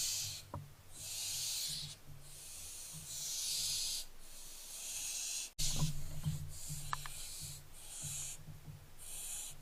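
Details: Several barn owlets on 15 July 2024 producing overlapping, breathy hisses almost without pause, with a few sharp clicks and a knock midway, over a low hum.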